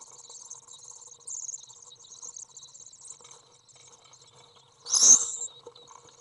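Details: Three young Common swift (Apus apus) chicks in a nest box give a thin, high, buzzy begging twitter almost without pause; a sudden harsh, loud burst near the end marks the second parent arriving to feed them, June 22, 2011.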